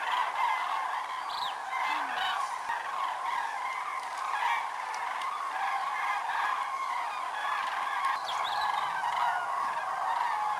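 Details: Common cranes massed at Lac du Der-Chantecoq, Champagne-Ardenne, France, in November 2014 during migration, part of a record gathering of over 206,000 birds; a dense, continuous chorus of overlapping bugling calls with louder trumpeting notes rising above it.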